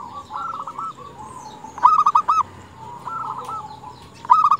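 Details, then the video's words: Female zebra dove calling for males: a loud phrase of three or four rapid rolling coos near two seconds and another starting at the end, with softer trilled cooing of other doves between. "Perkutut betina gacor memanggil jantan paling berhasil memancing perkutut jantan bunyi"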